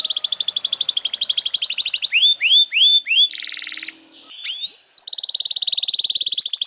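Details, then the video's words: Canary singing as a teaching master for young canaries: a rapid buzzy trill, three rising whistles, a lower rattling phrase, soft chips, then another quick high trill. "Pancingan Suara Kenari Gacor‼️ Ampuh untuk Masteran Kenari Muda dan Terapi Kenari Macet Bunyi"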